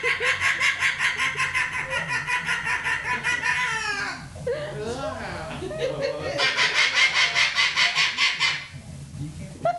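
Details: Pet cockatoo indoors, competing with a person's laughter and growing ever louder. Loud, rapid, harsh pulsed cries repeat like cackling, break off for rougher screeching notes, then resume strongly, with human voices and laughter around it.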